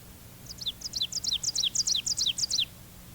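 An ovenbird sings an emphatic, high two-note phrase, teacher, teacher, repeated about nine times in quick succession and building in loudness toward the end.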